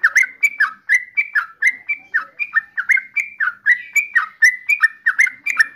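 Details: Yellow-vented bulbul repeating short liquid, slurred two-part notes at a brisk, fairly even pace, about one every third of a second, steady throughout.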